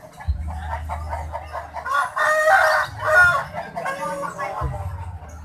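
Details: A large rooster at Gawok market, Sukoharjo, gives a hoarse, drawn-out crow of a few rough syllables, unusual in shape and said to sound like "Jokowi", over a steady low engine-like hum.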